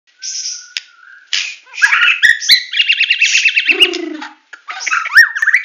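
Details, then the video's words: White-rumped shama of the Medan type singing in full tembakan style: varied loud whistles, a fast rattling trilled run, brief low harsh notes, then rising whistled phrases. "Murai Batu Medan Full Tembakan"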